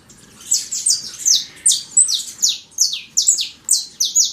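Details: A wild saffron finch in nature sings a loud, rapid series of high, slurred chirps, roughly two or three each second, over a faint low background hum.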